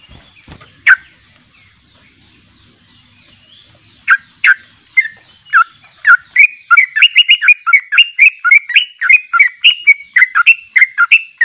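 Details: Sooty-headed bulbul giving a long 'ropel' trilling song, unedited, used to train other bulbuls: a few scattered notes open the clip, then from about six seconds a dense run of short, slurred, whistled notes, roughly three per second.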